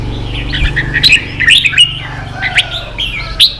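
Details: Cage-kept red-whiskered bulbul stirred to compete, giving short fluty chirps and quick slurred notes in scattered bursts over a low steady hum.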